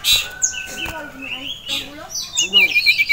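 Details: Ashy tailorbird male, excited by a female and a rival, while a caged iora goes wild nearby: quick, high chirps and sharp whistled notes tumble out in an uneven burst, with a brief lower, voice-like murmur underneath.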